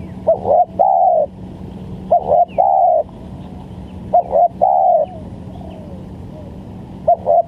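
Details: Spotted dove used as a lure for trapping: three full cooing phrases and the start of a fourth, each a short double coo then a longer one, spaced irregularly, over a steady low hum and faint bird chirps.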